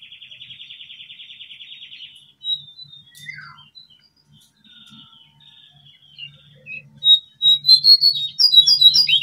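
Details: Brown prinia lure recording from Indonesia, meant to prompt caged or wild birds to sing: a fast buzzy trill held about two seconds, scattered thin whistled notes, then loud sharp chips repeated rapidly at the end.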